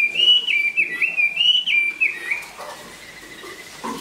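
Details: Chinese hwamei in moult, a large bird praised for singing and fighting, gives a few bright looping whistles over two seconds, then the song thins to a quiet sustained tone with faint lower sounds.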